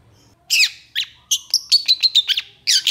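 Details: Long-tailed shrike singing in the excited long-burst style, recorded as tutor material for other shrikes: harsh scratchy bursts, then a rapid series of short high whistled notes and a final scratchy flurry, with quiet gaps between phrases.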